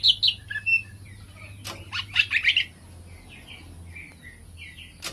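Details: Greater green leafbird singing energetically as a kept bird: sharp double chirps open a run of varied whistles, then a quick cluster of bright warbled notes mid-phrase. Quieter slurred whistles follow before a final chip, over a faint low hum.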